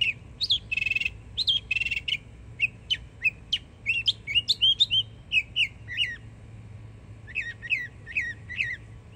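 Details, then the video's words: Young Florida northern mockingbird, a yearling, singing hard: a varied run of buzzy broadband bursts, sharp rising and falling whistled notes and quick repeated phrases, each motif given a few times before switching, over low background hum. "Yearling Florida Mockingbird Goes Hard 🎶💯 Beautiful Songs"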